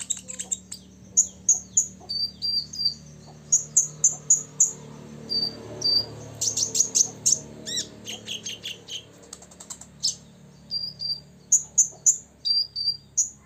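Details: Six-year-old olive-backed sunbird singing in full ngobra style to provoke rivals: rapid bursts of very high, sharp chips and short trills, broken by brief thin whistled notes, with a faint low hum underneath.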